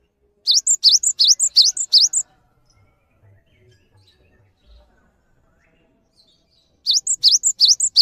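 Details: Cinereous tit singing to serve as a master recording for other birds: a burst of five or so rapid two-note whistled phrases, rising then high, a long silent gap, then the same phrase series starting again.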